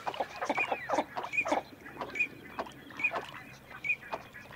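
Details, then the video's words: Northern shoveler giving short, knocking clucks in uneven clusters about once a second, with a brief thin whistle repeated between the groups. "Canard souchet / Northern Shoveler / Spatula clypeata"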